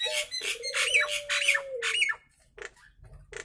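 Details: Nias hill myna with natural voice: loud harsh squawking bursts over a long, steady, low whistled tone that falls slightly at its end, followed by two short clipped notes.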